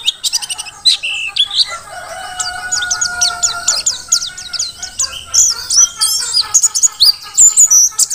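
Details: Mountain white-eye from Merapi, a wild-caught bird, opening with sharp clicks, then a long rapid series of high, thin whistled chirps climbing into twittering flourishes.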